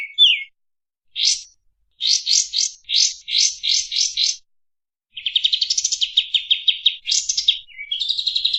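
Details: Clear, fast Kapas tembak singing, used to tutor other cage songbirds: a short falling note, a run of buzzy rising bursts in quick succession, then a long dense trill of high chirps.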